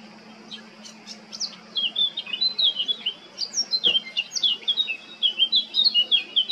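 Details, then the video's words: Male blackcap singing in Baška on Krk, Croatia, 20 July 2022; soft chattering notes lead into a bright, fast, fluty warble of clear slurred whistles, continuing strongly to the end; a brief click midway and faint constant hum. "Crnokapa grmuša, mužjak (Sylvia atricapilla)(Birds of Croatia- Blackcap, male)"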